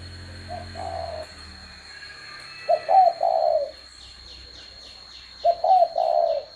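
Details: Spotted dove gives hoarse, mellow coos in three phrases a few seconds apart, each a brief note then a wavering hoot and a long coo; a steady high whine and quick high chirps from another bird near the end.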